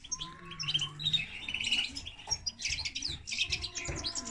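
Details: Hybrid of common linnet and canary giving a quieter, scratchy run of chirps, warbled phrases and squeaky notes, with a steady faint tonal hum in the background.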